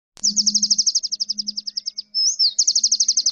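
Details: Kolibri ninja sunbird, a kept songbird with a rich, full repertoire of mimicked phrases, offered as a vocal tutor for other songbirds: a fast, high buzzy chip series about four per second, a brief slurred whistle, then the rapid series resumes over a faint low hum.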